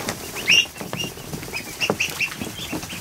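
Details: Newly hatched ducklings, over a hundred of them, in a kiddie pool inside a barn in the afternoon, give high thin peeps in short bursts, mixed with wing flutters and water splashing.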